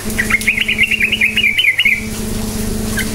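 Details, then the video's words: Sooty-headed bulbul lure song in cukcuk nguplik style to get silent birds answering: one continuous fast chattering, warbled phrase of about two seconds, loud and clear, over a faint steady hum. "Trucukan gacor cukcuk nguplik sangat AMPUH memancing trucuk DIAM jadikan burung NYAUT GACOR"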